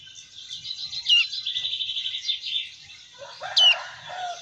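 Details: Protected Black-fronted White-eye (Papuan white-eye) call, described as louder and more rapid: a rapid run of high, thin chattering notes with two sharp, bright up-and-down whistled calls standing out.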